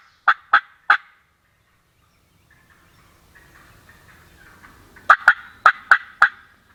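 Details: Wild Turkey gobbler on heavily hunted mid-Atlantic public land on a Sunday morning: loud, sharp, abrupt notes, three in quick succession and then five more, with a soft rattling murmur between the bursts.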